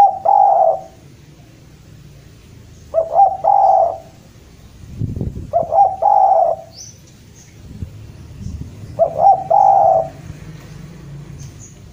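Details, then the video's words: A Javan spotted dove in full voice calls out to a rival. Four cooing phrases come roughly every three seconds, each a few clipped notes then a drawn, buzzy coo, with a brief thump and faint noise between. "Derkuku jawa gacor memanggil lawan"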